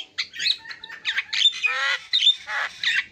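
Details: Short burst of Javan myna song with scratchy chatters, a grating rasp and a few thin whistled squeaks packed into quick phrases.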